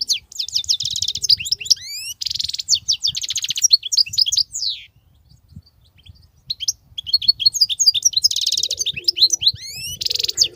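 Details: European goldfinch from the wild in ceaseless song: quick liquid twitters, rising whistled slurs and buzzy trills, a short pause, then the rapid chattering resumes.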